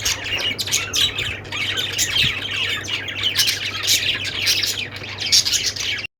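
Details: Busy budgie flock chatter, many overlapping scratchy chirps and squeaky squawks pouring out without pause, with a constant low hum underneath, cutting off abruptly at the end.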